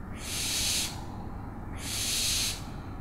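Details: Owl uttering two long, harsh hissing screeches, each lasting under a second with a short pause between, loud and rasping over faint low background hum.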